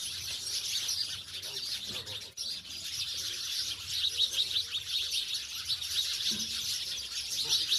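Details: Many house sparrows, now living in villages away from the city, chatter with crowded high chirps, the chorus swelling and dipping but never stopping.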